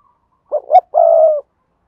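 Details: Spotted dove decoy from Đồng Nai, Vietnam, calling in 'double voice' style to attract wild doves: a short dip, a rising hoot, then a long even low coo against a quiet background.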